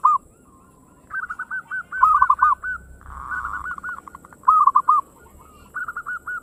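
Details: Local zebra dove singing energetically in the fast single 'ngayer engkel' style, used as a lure to stir other birds into song: quick runs of rolling, bubbly cooing notes, two overlapping voices at slightly different pitches, steady low hum beneath.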